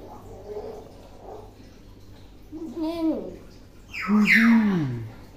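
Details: Tame, clever common hill myna that imitates many words: faint murmurs, then louder hoarse, voice-like syllables with bending pitch, ending in a strong nasal, speech-like phrase.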